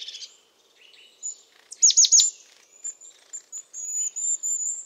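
European crested tit giving high, thin notes and a quick burst of sharp descending trills, then a run of very high, faint purring notes.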